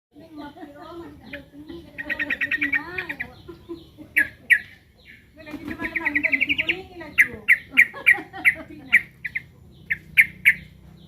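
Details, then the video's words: Sooty-headed bulbul, locally called trucukan, calling while under threat: bursts of rapid chattering notes near the middle of its range, then a run of sharp separate chips, with low human voices murmuring underneath. "Suara burung trucukan lagi ter4ncam"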